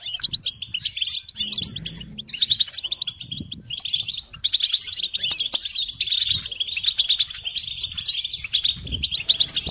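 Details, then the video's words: European goldfinch singing steadily for a chick-training tape: busy, high-pitched twitters, buzzy notes and trills forming a dense chatter, with soft low rumbles in the background. "Encouragement to motivate and support goldfinches in songs"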